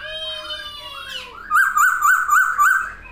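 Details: Caged masked laughingthrush singing with wings spread, a soft falling whistle then a loud run of five wavering, warbled notes at about two per second, recorded indoors.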